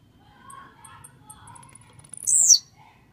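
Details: Aggressive, warmed-up blue-black grassquit lets out a single loud, high, buzzy note sliding downward near the end, after a stretch of faint ticks and low background murmur.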